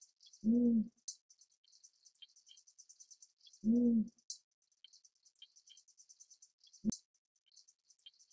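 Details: Tawny fish owl (Ketupa flavipes) giving deep, booming hoots about three seconds apart, with a brief low note near the end, over a steady high chorus of chirping insects.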